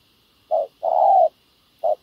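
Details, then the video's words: Trapping scene with a decoy spotted dove facing a wild dove: a brief low coo, then a drawn-out slightly falling coo, then another short note, clean and close. "bẩy cu gáy mồi đất hay..gặp bổi đồng gù khá tốt"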